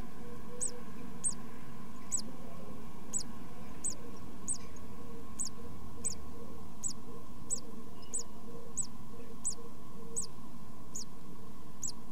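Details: Nest box brood of tits in their first two weeks: evenly spaced, very high, thin squeaks, about sixteen across the clip, above a persistent low hum.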